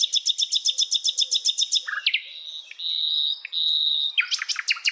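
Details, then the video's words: Wild hill blue flycatcher singing: a rapid series of sharp high chirps, about a dozen in a row, then thin sustained whistles and a final burst of bright notes. "KICAUAN SIKATAN LONDO DI ALAM LIAR"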